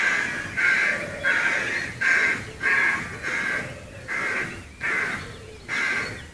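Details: Harsh rook calls from treetops by Gaia House, Devon, captured from a footpath; rasping caws tumble out in quick succession, some doubled, with a faint lower murmur beneath.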